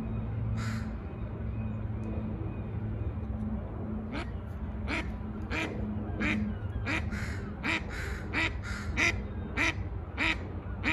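A mallard gives a run of harsh, nasal quacks that start spaced and speed up into a quick series, over a steady low rumble.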